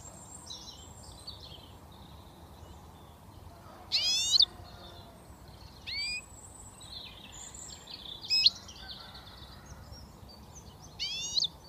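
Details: Young British European goldfinch just starting to whistle: four loud, short rising whistled notes with a harmonic ring, spaced two to four seconds apart, over a soft, continuous high twittering.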